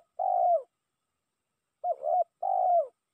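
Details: Spotted dove lure call used to call a rival: three low, mellow coos of about half a second each, the second split into two short parts, against a silent background.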